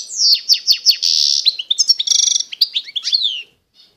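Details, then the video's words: Authentic Constantine goldfinch of eastern Algeria: sharp downslurred whistles repeated about twice a second, a buzzy trill, then rapid chirps and falling slurred notes before the song stops. "تغريد الحسون القسنطيني الاصيل (حسون الشرق الجزائري)"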